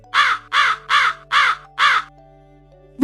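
A Hooded Crow gives five harsh, hoarse caws in a quick, even series, about two per second, over a faint steady musical hum.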